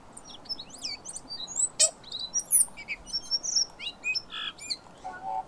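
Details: Tui, a native New Zealand bird with two voice boxes, pouring out a busy medley of high twisting whistles, chirps and clicks, often doubled and overlapping, with one sharp click near the middle.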